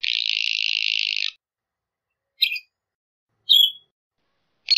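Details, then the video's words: Northern Shrike calling: a long, harsh, buzzy rasp of over a second, then two short, sharp chirps and a clipped final note. "Northern Shrike Song! Northern Shrike Call! Sound! Singing!- Alcaudón Boreal Canto - Lanius Borealis"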